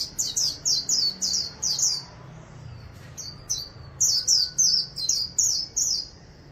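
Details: Singing white-eye kept as an ornamental bird, in the Vietnamese 'líu' style: fast runs of high, bright falling chirps, a short pause with a faint soft note, then another lively run; low background hum.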